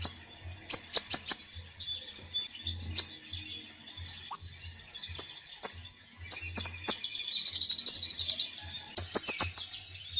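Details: Konin bird in full lively song, offered as therapy for a konin that rarely sings: spaced clusters of sharp high chirps, thin whistles, and a fast buzzy trill near the end.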